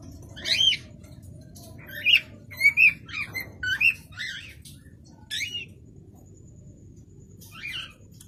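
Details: Cockatiels in a colony, recorded in 2019: scattered short, rising-and-falling chirping calls, several in quick succession, over a steady low background rumble.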